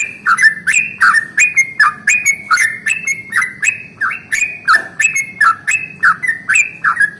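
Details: Yellow-vented bulbul pouring out a long 'ropel panjang' morning roll that spurs other bulbuls to sing: continuous bubbly chirps at a fast even rhythm, each note bright and dropping in pitch.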